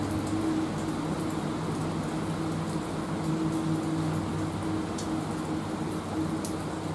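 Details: Constant low mechanical hum like a fan or distant engine, with faint clicks and no animal calls.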